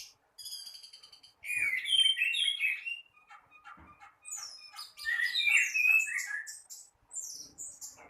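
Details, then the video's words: Orange-headed thrush in morning song. A buzzy high trill is followed by loud slurred whistles and quick chirps, a softer pause, then another strong burst of jumbled varied notes. "Burung Anis Merah gacor teler dipagi hari"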